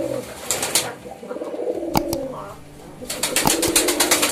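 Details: Soft, low pigeon cooing beneath frequent clattering wing beats and sharp clicks, with the flapping growing busier toward the end.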